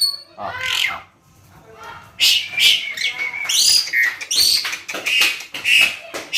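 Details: Tame Asian pied starling singing vigorously: a chattering run of harsh, buzzy notes and clear whistles at high pitch, with loud bursts packed closely after a quieter opening second.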